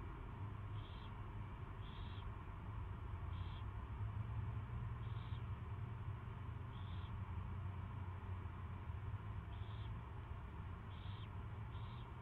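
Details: Owl during its first feeding on 24 February 2016, 2:15 PM: a series of eight brief raspy hissing bursts, roughly one every second or so, over a constant low droning hum.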